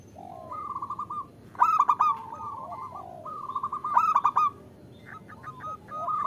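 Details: Female zebra dove, a local bird, calling a male so that males start singing. Rolled cooing phrases alternate with loud stuttered bursts about every two seconds, with softer lower notes in between.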